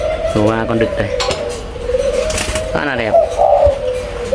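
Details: Spotted dove from a numbered breeding pair, birds 11 and 04, giving short low harmonic coos early and again near the end, over a steady humming tone with people talking in a small room.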